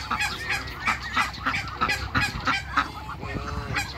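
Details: African geese mingling with Muscovy ducks on a farm. Nasal honks repeat about three times a second in an irregular chorus over a steady low hum and crowd noise.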